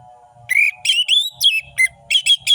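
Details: Lure recording of orange-headed thrush song meant to provoke idle birds into singing: rapid, sharp whistled and trilled phrases in quick succession, high and bright, over a faint low hum at the start.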